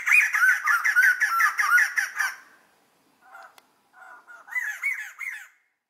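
White-crested laughingthrushes give a loud, chattering laughing chorus of rapid, harsh notes, a pause, then a softer burst building back up.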